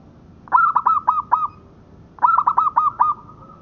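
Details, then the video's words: Local zebra dove song, recorded as a tutor recording for training birds: two loud bursts of quick, rolling, hollow coo notes, about five notes each, spaced roughly a second and a half apart over a quiet background. "Suara Perkutut Lokal Buat Masteran"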